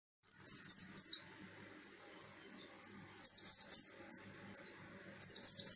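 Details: Buxton's white-eye singing in the forceful 'ngalas' style, used as a lure to provoke other white-eyes: loud bursts of sharp, high, downslurred chirps in quick runs of three to four, with softer twittering between and a low background hum.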